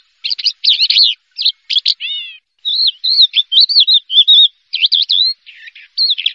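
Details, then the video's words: Prize-winning Javan bush lark (Horsfield's bush lark) sings a fast, varied run of sweet warbles, trills and twisting whistled notes, broken by brief pauses, with no other sounds. "SUARA BRANJANGAN JUARA 1"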